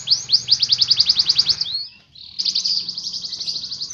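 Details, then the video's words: Canary delivering a fast series of sharp, repeated high chirps, then a gliding note, a brief pause, and a rapid buzzing trill resuming strongly. "Kenari Mesin Tempur | Mewah | lagu rapat"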